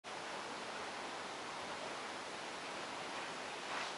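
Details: Steady broadband hiss, like rushing water or static, continues evenly throughout with no animal calls.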